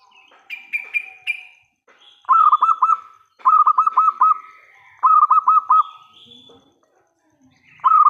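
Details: Loud local zebra dove singing to provoke other doves to respond: three phrases of five or six pulsed, rolling coos separated by short pauses, with sharper chirps from other birds before and between.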